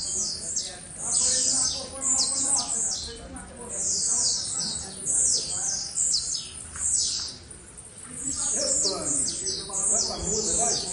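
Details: A Blue-black Grassquit, described as singing wildly today, gives short, high, buzzy bursts repeated roughly every second. A person speaks quietly in the background.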